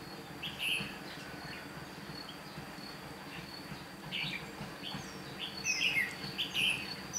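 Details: Red-whiskered bulbul used as a decoy, singing to lure wild birds into a trap, recorded 8 June 2016; short bright warbled phrases scattered across several seconds, with a faint steady insect whine and low background noise.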